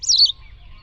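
A white wagtail gives a single brief, high twittering phrase, quickly falling away to faint low background rumble.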